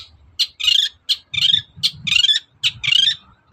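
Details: Long-tailed shrike sings in the morning to goad other birds into responding. A short sharp note alternates with a longer buzzy, grating phrase, the pair repeated three times, over low rumbling noise.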